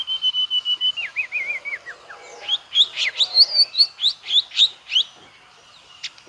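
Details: White-rumped shama in full song with varied filler phrases: a long steady whistle, then a quick wavering trill, then a run of about a dozen sharp, rapidly repeated up-slurred notes.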